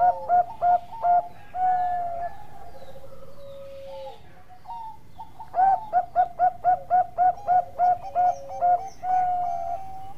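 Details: Bangkok-type zebra dove cooing steadily: bouts of short, pulsed mid-pitched coo notes repeated about four times a second, mixed with longer drawn-out tones, and a quiet pause in the middle.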